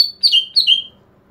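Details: Greater green leafbird call used to lure other green leafbirds: two quick buzzy whistled notes, each sliding downward from high to mid pitch, in a clean quiet recording.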